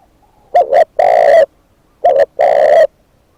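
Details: Decoy spotted dove giving two phrases of a quick double coo followed by a prolonged, level, mellow note, with silence between them.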